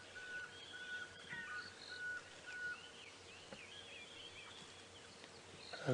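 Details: A tiny Pearl-spotted Owlet calling in a drainage line behind a giraffe on a very wet early morning, 25 October 2016, Sabi Sands, South Africa: short, clear, mid-pitched whistles, faint under chattering songbirds and a low wind or engine rumble.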